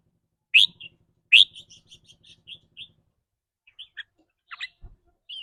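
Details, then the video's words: Red-whiskered bulbul in 'rik rua' rapid trilling, its style depending on mood that day: two strong whistled notes followed by a fast run of softer chirps, then sparse notes and a faint rattle underneath. "ริ๊กรัวๆ คือเรื่องปกติ"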